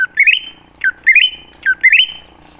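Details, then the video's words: Lure song of a wild greater green leafbird, meant to draw other leafbirds into answering: three rapid phrases, each a low note leaping into a jerky, climbing whistle that settles on a long held tone, with faint background murmur. "Pancingan Burung Cucak Ijo Ngalas Di Jamin Langsung Nyaut"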